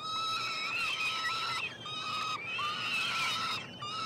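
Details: Three peregrine falcon chicks being fed in a nestbox at the University of Montreal, Quebec, Canada, on 21 June 2022: drawn-out, harsh, wailing screams, each held about a second, rising slightly at the start and repeated with short breaks.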